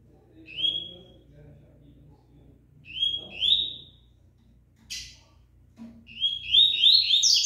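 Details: Rusty-collared seedeater still singing during its moult: short whistled rising notes spaced a couple of seconds apart, a sharp noisy click, then a quick dense rattle of high notes at the end, over low background hum and faint voices.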